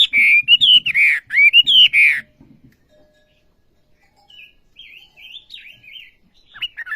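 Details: Olive-backed sunbird singing actively: two loud bursts of rich, wavering whistled phrases, then quieter, thinner twittering trailing off.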